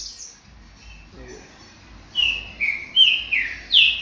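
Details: A green-winged saltator (Saltator similis) sings a quick run of five loud, clear whistled notes, each sliding up or down, a little under half a second apart, after some faint high chips; recorded Saturday 23 July 2022 at 12:40 midday.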